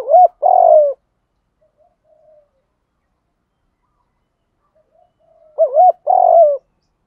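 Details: Spotted dove cooing, used to stimulate and train other doves to coo: two loud low phrases about five seconds apart, each a wavering double note followed by a longer, level, purring coo that falls slightly at the end.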